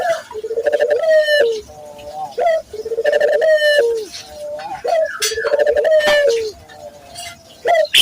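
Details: Local Barbary dove giving repeated coos meant to coax other doves into singing. Each phrase is a brief clipped note, then a long throaty coo that dips at the end. Phrases come roughly every two seconds.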